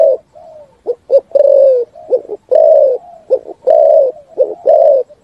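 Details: Spotted dove singing a full cooing song that echoes through forest: deep, hoarse coos in repeated phrases, short clipped notes leading into long drawn, slightly falling coos, about one phrase per second.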